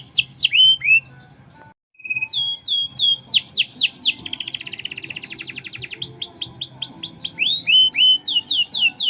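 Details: Canary singing actively in merlok style: a fast run of high, downslurred notes, a brief pause, then more rapid repeated notes and a dense buzzy trill, with a low hum underneath.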